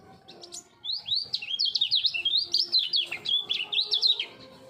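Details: Full-speed double-voice song from a caged three-year-old common iora groomed as a contest challenger: a clean, unbroken stream of quick rising and falling whistled notes, faint low hum behind.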